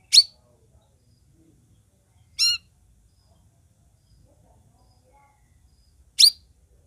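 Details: Three brief, high, twittering bursts from a Sooty-headed bulbul, spaced two to four seconds apart, one a quick stack of bright, descending notes; otherwise quiet background.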